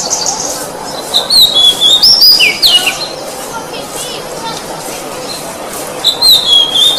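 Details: Oriental magpie-robin whistled training song: one burst of sliding whistles and swooping notes, a quieter pause, then a further short whistled phrase; soft background hiss.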